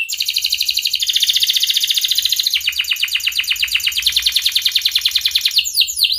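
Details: Canary in breeding condition calling a rival, a lure for young canaries learning song: long, loud, rapid rolling trills at several speeds with a switch midway, ending in quick rising and falling chirps.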